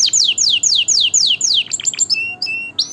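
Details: Canary song for training chicks and stimulating pairing: about nine loud sweeping whistles falling in pitch, followed by quick chips and a few short flat whistled notes.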